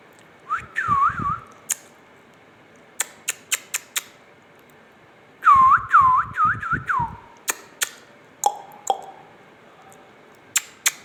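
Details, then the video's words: Indian ringneck parakeet talking: two bursts of looping, wavering whistles, each rising then dipping in quick repeated curls, separated by sharp clicks and taps in a small quiet room. "amazing ringneck talking"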